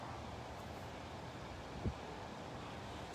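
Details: Low rumbling wind noise against the microphone with one brief thump, and no animal call.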